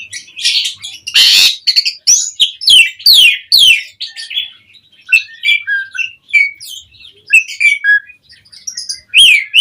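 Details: Asian pied starling, mompa song meant to prompt other songbirds to answer: a loud harsh rasp followed by repeated downslurred whistles and varied chirps, spaced in short phrases.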